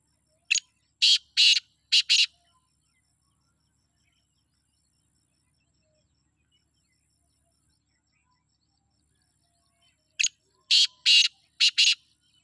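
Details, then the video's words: Black francolin from Sindh calling twice about ten seconds apart; each phrase is five harsh, grating, buzzy notes, a short one then two longer ones, then a short and a long one, with near silence between. "سندھی کالے تیتر کی آواز"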